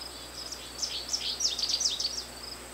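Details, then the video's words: American goldfinch song, a run of bright, high, slurred twitters and short warbled notes that grows louder midway, set against a constant high insect whine. "Chant du Chardonneret jaune/Song of the American Goldfinch"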